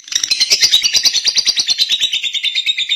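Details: Lovebird chattering rapidly, a dense run of scratchy, high-pitched notes pulsing steadily several times a second, with a slight downward drift near the end.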